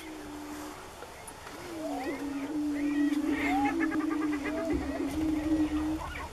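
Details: Greater prairie-chickens on a lek near Wray, Colorado, April 2015: a low, hollow, humming moan rolling on almost without pause, overlaid with higher cackles and whooping notes from several birds.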